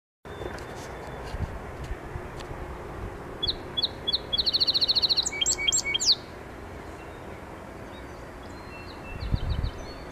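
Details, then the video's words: A song sparrow sings three or four sharp introductory notes, then a fast buzzy trill and a brief jumble of lower notes, over a steady low rumble. "Song Sparrow"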